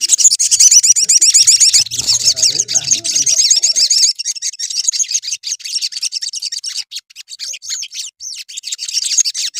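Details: Sooty-headed bulbul singing to stir up other bulbuls. A dense, high, rapid chatter of twittering notes is loudest at first, then continues more softly and broken.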